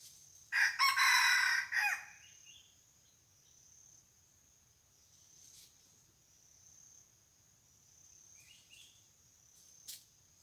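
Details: A red junglefowl used as a decoy to draw in wild junglefowl gives one strong, rasping multi-part crow near the start. Quiet follows, with a constant thin insect drone and a few faint chirps. Barking deer visited the spot the day before.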